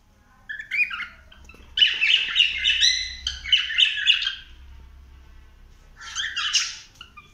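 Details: Cockatiel exploring a house, giving bursts of harmonic chattering warbles with whistled notes in phrases of about a second, separated by short pauses; indoor setting, low room hum beneath.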